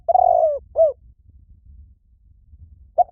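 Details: Spotted dove lure call: the tail of a phrase, a long throaty coo and a falling coo, then silence before a short note begins the next phrase.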